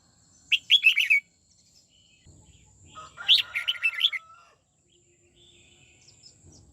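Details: Training session of a caged red-whiskered bulbul singing its twisting '89' style: two lively phrases of rapid, slurred, chirpy notes, the second followed by a thin steady whistle, over soft low background rumble.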